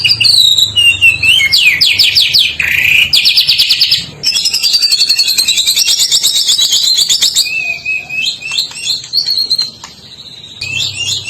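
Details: White-rumped shama of the Medan type singing vigorously with unusual sounds: loud, high, continuous song of rapid trills, buzzy rattling series, and sliding whistled phrases, changing every second or two.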